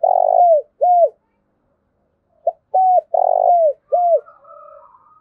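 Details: Spotted dove lure call aimed at wild doves: a rolling coo and an arched coo, a pause, then a full phrase of short note, coo, rolling trill and falling coo, trailing into fainter wavering coos.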